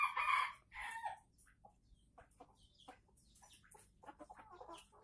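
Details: Aceh red junglefowl lure recording: a strident, buzzy crow in two bursts over the first second, then scattered soft clucks and clicks against a quiet background.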